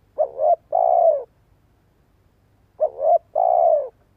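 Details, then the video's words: Well-voiced spotted dove decoy call, used to stimulate other doves to coo. A paired short note is followed by a long, mellow, falling coo, and the phrase repeats once after about two and a half seconds. No other sounds. "Tiếng chim cu gáy mồi cây giọng hay hạp bổi - Chim nghe là gáy. Mở lên chim non nghe nhanh gáy."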